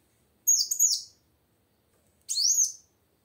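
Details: Female plain sunbird calling to coax a silent male into song: two separate high, thin phrases, the first a quick double chirp and the second a sweeping rising-then-falling note.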